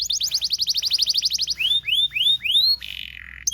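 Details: Canary song meant to train young canaries: a quick run of repeated descending chirps, three slow looping rising whistles, then a short buzzy trill.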